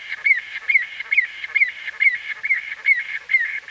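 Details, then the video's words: Close-up calling from a white-fronted bee-eater, exact recording date not known: brisk, evenly spaced clipped notes, roughly two per second, each with a quick downward inflection, against a clean quiet background. "White-Fronted Bee-Eater. NB: Exact Date Of Recording Not Known. CU Calls From A"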